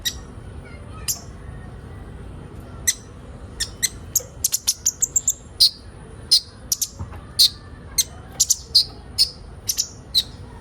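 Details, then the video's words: Ninja sunbird used as training material to bring young birds into song: scattered high clicks that build into bursts of thin twittering chirps, some bent downward, with short pauses between bursts. "Burung kolibri ninja bahan ombyokan cepat gacor"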